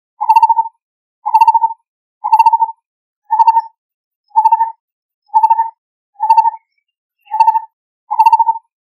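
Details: A Lineated barbet calls to its mate with nine evenly spaced hollow notes, each a brief purring, tremulous hoot on one pitch, delivered steadily about once per second in a clean, quiet recording.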